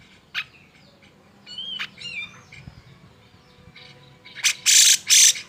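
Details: Grey-cheeked bulbul (cucak jenggot) giving agitated song meant to goad silent birds into singing: a quiet stretch with a few sharp chips and wavering slurred whistles, ending in three loud harsh rasping blasts.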